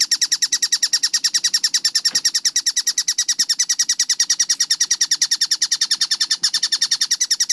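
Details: Tengkek buto, the collared kingfisher, recorded clear and sped up with tight spacing for song training. It gives a relentless series of sharp, scratchy notes, roughly three per second, with a few soft clicks in the background.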